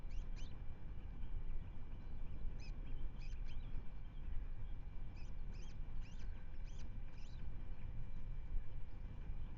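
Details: Osprey calls at the Manton Bay nest, Rutland, picked up by a wide-angle live webcam on 10 May 2025: clusters of thin high chirps come in short bursts separated by pauses, with a constant low background rumble throughout.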